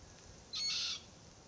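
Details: A short, high, strained begging squeal from a young Forest Red-tailed Black-Cockatoo, perched near its feeding parents in a Marri eucalypt, stands out against quiet background hiss.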